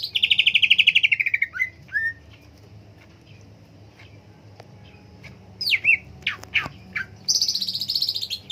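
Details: Cucak ijo, a green leafbird, opens with a rapid falling trill of rasping notes, adds two whistled slurs, pauses, then gives sharp downslurred chips and ends on a fast high buzzy trill.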